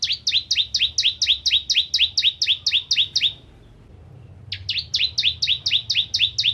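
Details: Bar-winged prinia song used to tutor white-rumped shamas: long runs of regularly repeated two-part chirps, a sharp high note sliding into a lower one, broken by one pause of about a second.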